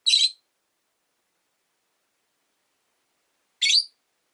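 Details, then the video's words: Rosy-faced lovebirds, five in a window-side cage: two loud, harsh, high shrieks about three and a half seconds apart, with silence between. "Lovebird Chirping Sounds"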